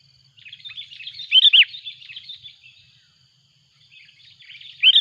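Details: Sooty-headed bulbul noisily calling while a rival approaches, a lure recording: chattering run of bubbly notes, a loud double whistled phrase near the middle, quieter twittering, then another loud burst at the end.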